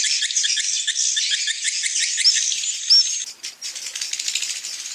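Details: Evening roosting lure of edible-nest swiftlets: high, busy twittering with quick chirps packed closely together, two brief thin whistles partway through, then a softer, patchier chatter.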